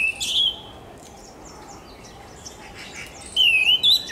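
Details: Orange-headed thrush song: a clear, sweet, slurred whistle at the start, then quiet, then a loud, smoothly rising whistled phrase followed by a higher short note, amid soft background hiss.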